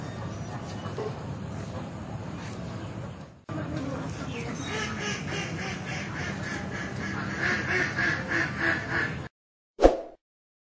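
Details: Group of native ducks in water; low background rumble with a sudden cut, then a quick train of nasal quacks near the end before the sound stops, followed by one short louder note.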